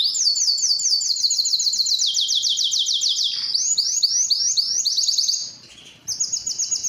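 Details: Belgian canary breeding song for attracting females, with long rapid trills, a shift to slower looping notes, a brief quiet gap, then a fresh high rolling trill.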